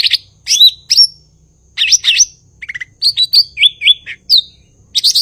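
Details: A blue-winged leafbird (cucak ijo) in vigorous song: looping slurred whistles, a brief rapid descending trill, then wavering notes and a final buzzy burst.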